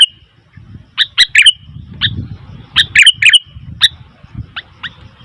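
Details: Scattered clusters of clear, bubbly chirps from a Sooty-headed bulbul calling noisily, with gaps between groups and steady low rumbling background noise.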